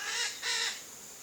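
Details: A Chestnut-eared Aracari visiting a backyard in Brazil's Cerrado gives two harsh, raspy screeches back to back, each under half a second, with nothing else heard.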